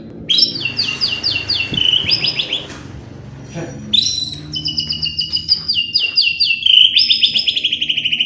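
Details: White-rumped shama song played to excite other birds: very high rapid trills repeated in long runs, broken by a short pause, over a steady low background hiss.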